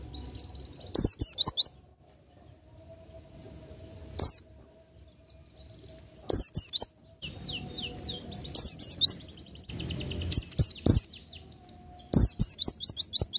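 An Oriental white-eye gives bursts of very high, rapid twittering and sweeping notes every two seconds or so, with sharp clicks and knocks between them.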